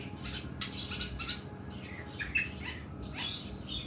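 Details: Oriental magpie-robin of the kuku bima type, in long, harsh 'nembak' singing: a rapid run of piercing high ticking notes in three quick pairs, then softer rough, sliding phrases over steady background hiss.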